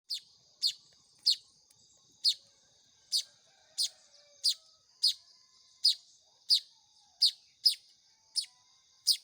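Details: Baya weaver chicks being hand-fed: sharp, high, piercing chirps repeated steadily about every half to three-quarters of a second, each a brief downward-sweeping note, with a quiet background.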